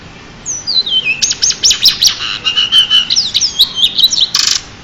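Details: Champion pied bushchat in a lively, high-pitched song. A falling whistled glide opens into a fast string of rhythmic chirps, trills and sweeping notes, ending in a harsh, scratchy burst.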